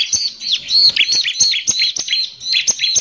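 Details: Steady stream of bright, bouncing high notes, four to five per second, from a Bar-winged prinia in vigorous harsh 'nembak kasar' song, used as a lure to provoke other prinias.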